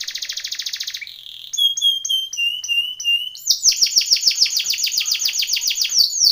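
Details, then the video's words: Timbrado canary singing a training song: a fast trill, a brief buzzy note, a run of drawn-out whistled slurs, then loud repeated downward-sweeping syllables in quick rhythm. "TIMBRADO canary singing / canto Canario cantando / canary training song"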